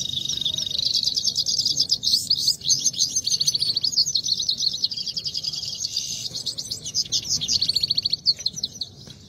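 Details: Loud, continuous song from Himalayan goldfinches (saira) in a singing contest: bright, rapid rattling trills and twittering phrases packed closely together, barely pausing across the stretch.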